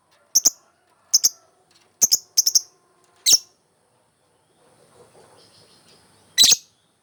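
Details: Lovebird used as a training model for other birds, uttering sharp, high chirps singly and in quick pairs and triplets, a short quiet stretch, then a final loud harsh chirp.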